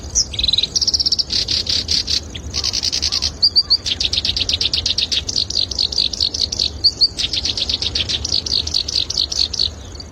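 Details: Black-browed reed warbler song recorded as a training model for songbirds: a long, fast chatter of sharp, high notes repeated several times a second, with short buzzy bursts and a few brief pauses. Faint low hum underneath.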